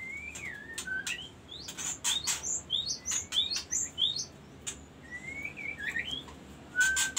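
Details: Magpie-robin singing a varied run of clear whistled notes and phrases, some rising and others falling, mixed with sharp loud clicks and knocks scattered through the recording.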